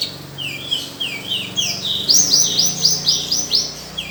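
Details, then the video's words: Sunbird song for training other birds: a series of quick, ringing downslurred chirps repeated about twice a second, rising in pitch and loudness midway into a bright rolling run, over a faint low hum. "Pancingan/masteran burung Kolibri || konin dacok isian mewah"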